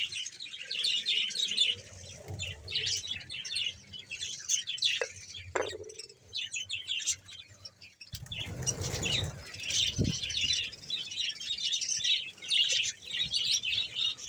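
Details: Roughly 100 pairs of colony budgerigars in Bahawalpur chatter in high, buzzy warbles, interrupted by a couple of sharp clicks and a short knock before the twittering resumes.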